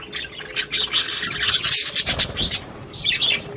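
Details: Singing Australian budgerigars, whose song is meant to encourage mating: rapid scratchy chirps and clicks in quick bursts, ending in a brief higher warble, with a faint hum in the background.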